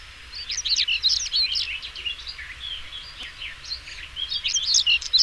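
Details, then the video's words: Song of a European stonechat, dense scratchy phrases of high twitters and short chattering notes, rapid and uneven, with a brief lull midway before another hurried burst; faint low hum beneath. "Der Gesang des Schwarzkehlchens"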